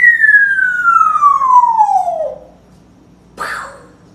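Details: A pet grey parrot mimics a siren with one long whistled wail sliding steadily downward over about two seconds, followed by a short, rough, breathy burst, one of his little growls.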